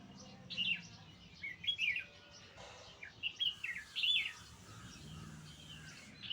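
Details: Nightingale giving scattered high chirps and short twittered phrases in a few quick groups, separated by brief pauses, over a faint low background hum.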